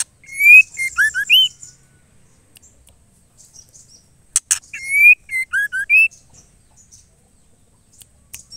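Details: Female white-rumped shama (murai batu betina) calling to the male, used to rouse males into singing: two bursts of clear whistled notes, rising slurs and short falling notes, each introduced by faint high twitters, with sharp clicks between.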